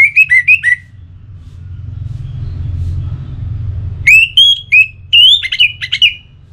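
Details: Orange-headed thrush (anis merah), pacingan sound used to prompt constant singing: a short burst of rising and falling whistles, a pause over steady low hum, then a longer sequence of bright slurred whistles and twitters.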